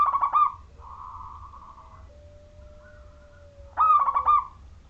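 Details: Local Majapahit zebra dove singing as a lure for other zebra doves: a loud burst of rolling coos, then a soft buzzing murmur and a long, faint steady tone, before another rippling coo phrase.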